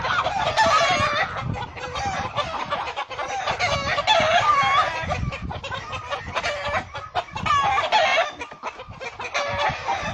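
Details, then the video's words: Hen defending her chicks from a hawk, giving repeated arching, nasal calls and clucks in irregular runs, with faint chick cheeping and rustling below. "chicken protects baby's from falcon hawk, Gallina protégé a sus bebes de gavilan halcon"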